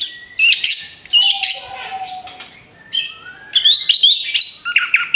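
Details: Moulted orange-headed thrush singing in a therapy track: clustered high chirps and trills separated by quiet gaps, a faint level whistle in between, then a busy burst of rising and falling notes.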